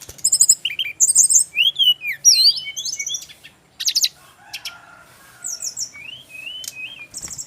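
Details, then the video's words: A male brown-chested jungle flycatcher from Bali pours out rapid, high twittering phrases of wavering whistles and clicks, then softer scattered notes toward the end. "SRDC laen langsung nyaut denger suara burung SIKATAN RIMBA INi"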